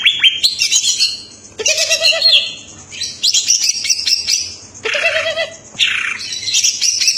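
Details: Energetic Greater green leafbird song packed with varied phrases: high chattering twitters and whistles mixed with a few lower, nasal, sustained notes, delivered in dense bursts separated by brief gaps.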